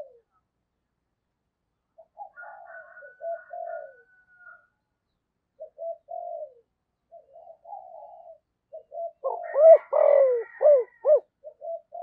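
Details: Spotted dove with a 'thổ' voice used to provoke wild doves; several seconds of quiet low cooing and a faint higher whistle, then a loud burst of hollow clipped coos overlapping another voice near the end.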